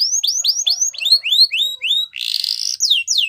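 A Yorkshire canary sings fast, bright rising whistles, about four a second, then a dense buzzy trill and a few sweeping downslurred notes.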